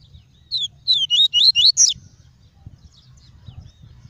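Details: Tuí tuí song of a caged double-collared seedeater, played to stimulate other birds and teach nestlings: one fast phrase of about seven slurred whistles rising in pitch, followed by quiet background.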